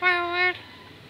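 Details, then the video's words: A trained, talking lory gives a single steady, voice-like syllable, held for half a second at a level mid pitch, followed by quiet room noise. "Burung nuri pandai berbicara"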